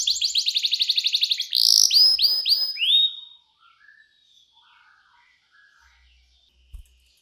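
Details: Clear 'cengkok mewah' canary song, a tutor for young canaries: a fast buzzy trill, then arched whistled notes, then faint distant chirps and a low thump in a quiet background.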